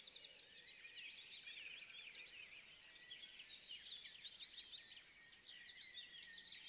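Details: Jungle babblers, with youngsters making their first flights in a backyard in Gurgaon, India, in a dense, nonstop chorus of high, squeaky chattering notes, many birds calling over one another throughout.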